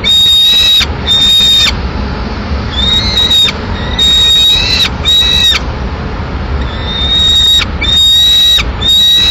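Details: Peregrine falcon at a nest in Madrid on 24 May 2016, as the mother arrives with a pigeon to feed the lone chick still in the nest; thin, level whistled notes repeat in runs, broken by harsh noisy bursts over a steady low rumble.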